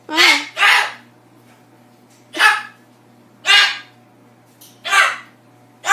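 An umbrella cockatoo gives six harsh, raspy squawks, each under half a second, spaced irregularly over six seconds, over a steady low electrical hum.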